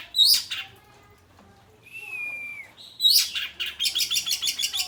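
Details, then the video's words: Oriental magpie-robin song, questioned as either the open 'ngeplong' style or mimicked 'materi': a loud bright burst of high notes, a clear sustained whistle that dips slightly, then a rapid train of sharp repeated chips about five per second. "Kacer ngeplong atau materi ?"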